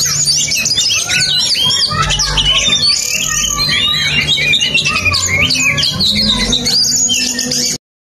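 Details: Oriental magpie-robin pouring out a rich, high-pitched song of rapid chirps, whistles and scratchy notes without pause, over a steady low hum, ending abruptly.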